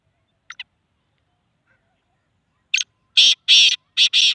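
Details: Black francolin in Sindh, Pakistan: after two faint early ticks, one harsh, grating phrase near the end of a short lead note then four loud rasping bursts, the last two close together.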